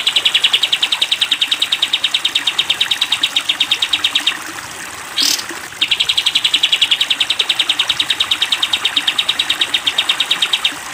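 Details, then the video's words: Sooty-headed bulbul, long 'tembak panjang' trill style used as masteran training for cage birds: a steady, very fast, high metallic trill runs about four seconds, breaks for a sharp upward note, then resumes equally long. "masteran kapas tembak panjang"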